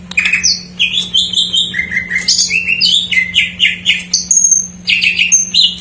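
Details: Greater green leafbird singing a song filled with jamtrok-style phrases, used as a lure to get untrained or silent birds singing: rapid varied whistled notes jumping between low and high pitches, slurred rising and falling phrases, a long high whistle near the end.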